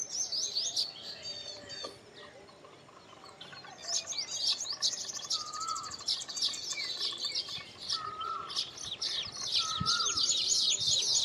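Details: Baya weavers (Ploceus philippinus) at a colony of several hanging nests while building them. High chirps and sizzling chatter come in dense bursts, with a few lower slurred whistles threaded through.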